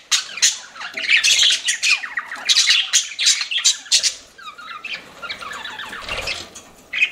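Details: Pet budgies chirping in a room, sharp squawks and rising chirps at first, then softer twittering with quick upward-sliding whistled notes.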